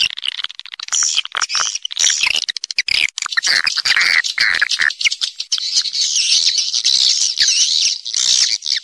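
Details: Wild swiftlet roosting call used as a lure to bring birds in to roost: a dense chorus of high, harsh, twittering chirps and rattling clicks from many birds, running continuously with little pause.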